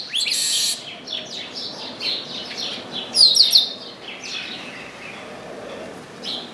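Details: Chestnut-capped blackbird in an orange tree: an opening harsh buzz, then evenly spaced falling whistles, with three sharp high chips in the middle.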